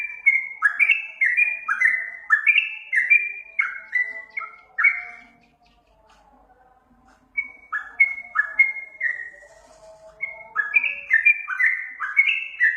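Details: Sooty-headed bulbul (trucukan) song used as a master recording to make birds answer: quick runs of short whistled notes, each sliding down in pitch, in two bursts split by a near-silent pause of about two seconds.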